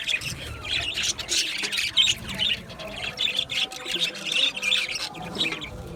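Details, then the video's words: Aviary budgerigars giving continuous rapid chattering chirps and short squawks, many birds calling at once in pulsing bursts. "Budgie chirping sound | Budgie parakeet singing | Budgie aviary sound"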